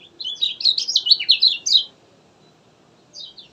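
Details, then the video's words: Kecial kuning, the lemon-bellied white-eye, singing in gacor style: a dense burst of quick, high, chattering chirps lasting under two seconds, then a pause and a short, softer twitter. "Pancingan ampuh buat kecial malas bunyi, suara asli gacor josss"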